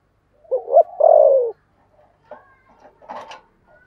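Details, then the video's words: Decoy spotted dove with a 'thổ' voice giving one 'thúc bổi' phrase for luring birds: two short notes, then a sustained, descending coo. Soft scuffs and rustling follow. "Chim Cu Mồi giọng THỔ"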